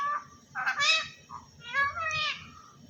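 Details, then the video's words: Pet parrot talking, mimicking a religious phrase: two short bursts of harsh, nasal speech-like syllables with rising and falling tones, over a low background hum. "Parrot Talking"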